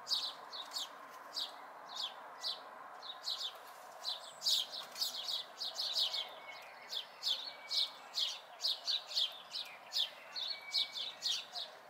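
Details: Several seconds of house sparrow fledglings, May 2020: a near-continuous stream of quick, high chirps, sometimes overlapping, with a soft thin whistle now and then and constant background hiss.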